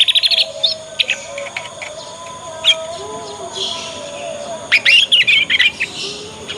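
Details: Young Yorkshire canary practising its 'ngriwik' sound as a lure for other canaries to answer and copy. A quick series of repeated high notes opens, then a fast twittering run comes near the end over steady hiss and hum.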